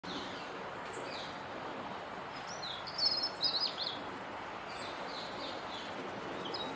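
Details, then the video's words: Robin singing on a wet day from a bare twig in the Rose Garden: a short thin high warbled phrase midway, over steady broadband background noise. "Robin singing in the Rose Garden"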